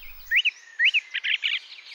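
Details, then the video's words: Song thrush singing: a clear, slurred whistled phrase twice in quick succession, then a burst of scratchy, chattering notes. "song thrush"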